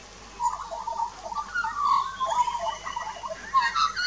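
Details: Duet from an adult and a juvenile Australian magpie at a garden birdbath in Australia, 2 March 2018, Nikon Coolpix P900: steady flowing warble of rolling, gurgled notes, ending in brighter, higher chirps.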